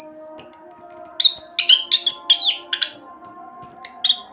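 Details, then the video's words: Orange-headed thrush singing a rapid rolling song meant as a lure for other songbirds; very high, sharp whistles and downward slurs repeated in quick succession, many mimic-like clear notes, no other sounds. "Anis Kembang Roll Cocok buat Pancingan agar cepat bunyi"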